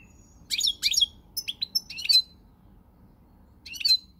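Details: European goldfinch of the pied (pezzato) form, recorded 20 March 2020: short bursts of bright, tinkling twitter, with pauses between them and a final burst after a longer gap.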